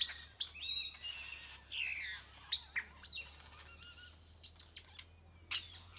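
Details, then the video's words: Many birds in a tropical tree in Nayarit, Mexico, calling almost without pause: loud high chirps, a rapid chattering burst, sliding whistles and sharp repeated tweets overlapping one another. "Many bird songs 🎵 fill tropical tree .Nyarit Mexico"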